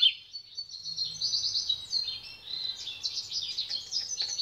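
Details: Quieter pintagol song of high twittering and trilled notes heard over a steady background hiss and low rumble.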